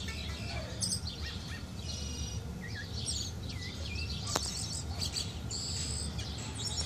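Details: Singing thrush calling to a bird outside, giving brief slurred whistled notes and rising phrases between bursts of high, thin trills, with one sharp click partway through and constant low background noise.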